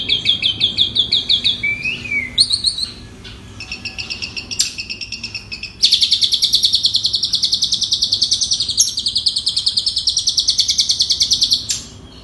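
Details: Asian pied starling song fragments for training and prompting quiet birds: short chattering phrases and a sliding whistle, a pause, then a long, loud, fast buzzing trill lasting about six seconds.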